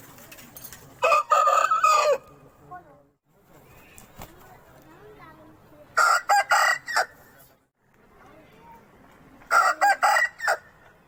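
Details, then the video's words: Aseel rooster crows three times, about every four to five seconds, each a harsh, choppy burst of roughly one second in stuttering pulses, with quiet rustling background between calls. "Aseel Roosters Crowing"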